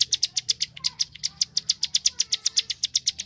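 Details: Bar-winged prinia clicking song, locally prenjak klik, meant for training contest birds: fast, sharp ticking notes around six per second, slightly uneven spacing.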